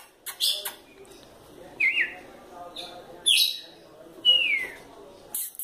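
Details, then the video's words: Red-cowled cardinal female, called fiery, sings short whistled phrases, some flat, one sliding down, interspersed with brief chips and sharp clicks. "Galo de campina fêmea fogosa"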